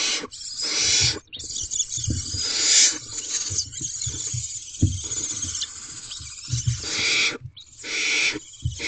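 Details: Barn owl female feeding an owlet inside a nest box at 1:27 am on 2/7/23. Long, breathy, rasping hisses run almost continuously, broken by brief pauses, with soft bumps and shuffling beneath.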